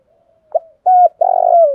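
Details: Spotted dove, 'thổ dồn thúc đầu' style call used for stimulating decoys: a soft lead-in, a quick note, a flat clear coo, then a long buzzy vibrating coo that slides downward.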